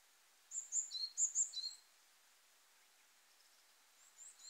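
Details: Eurasian wren singing along the Hayatogawa forest road in Kanagawa, Japan, in mid-March, early spring: a quick burst of very high, sharp, tinkling notes lasting over a second, then a faint high fragment after a pause, in a quiet setting.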